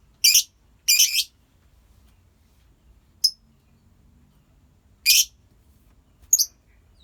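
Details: Harsh, loud screeches from a lovebird colony, given singly or in pairs with silent gaps of one to two seconds, plus a brief high chip.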